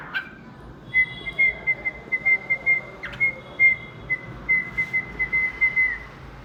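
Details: Captive pet cockatiel whistling its song: a long series of clear, level whistled pulses at the same pitch, quick and slightly uneven in spacing, continuing for about five seconds over a faint room hum.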